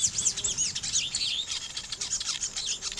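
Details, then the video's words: Weaver birds busy at their nests, giving rapid high-pitched arched chirps and sizzling twitters that run together without pause. "weaver bird sound n nest building"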